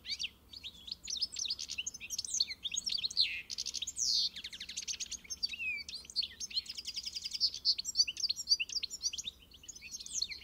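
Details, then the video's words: European goldfinch, known in Portuguese as pintassilgo, singing a rapid, tinkling stream of high twittering notes, trills and buzzy slurred phrases, nearly continuous for ten seconds with brief dips between bursts. "O canto do Pintassilgo (Carduelis carduelis)"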